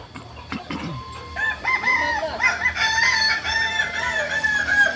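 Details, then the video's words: Crowing practice of Kokok Balenggek roosters in Amko, Solok city: a brief noisy clatter, then rising and falling, quavering crow notes that break into several linked segments, with other crowing and low background noise. "ayam kukuak balenggek"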